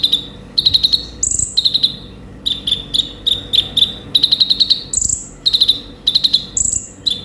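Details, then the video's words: A sunbird sings in quick high bursts of buzzy trills with occasional thin rising squeaks, each phrase under a second, against a quiet background. "suara burung konin gacor full isian"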